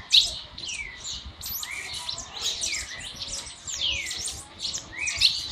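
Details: Monjita starting its song: scattered high, sharp downslurred whistles and twittering notes at an uneven pace, with a soft low hum underneath.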